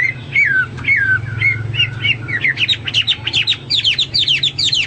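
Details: Hwamei in full song, used as a training recording for pet birds: sliding whistled phrases that fall in pitch, then quicken into bright repeated chirps and slurred notes, over a steady low hum.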